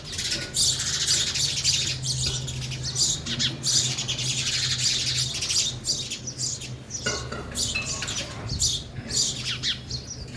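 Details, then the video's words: Sparrows, including a young bird, feeding at a bird feeder; nearly continuous high, twittering chirps pour out for most of the stretch, thinning briefly near the middle, with a low steady hum underneath. "sparrow sound effect | ચકલી ઘર | chaklino avaj | sparrow eating"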